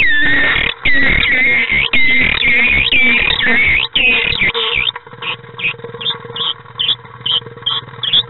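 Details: Common swift pair in nest box 9 on 5 May 2016, as the partner arrives to join a bird present since 30 April: dense, loud buzzy screams for four seconds, then softer short chirps repeated roughly twice a second.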